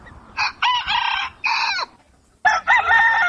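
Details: Rooster crowing at dawn: three loud harmonic bursts, the first broken into stepped syllables, a shorter one near the middle, and a final rising-falling phrase after a brief silence.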